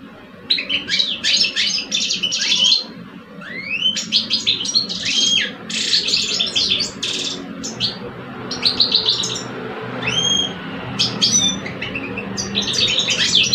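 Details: Singing contest between two male goldfinches kept in cages in Algeria, an old adult against a two-year-old; long runs of bright tinkling twitters, buzzy trills and upward-sweeping whistles, with brief gaps between phrases.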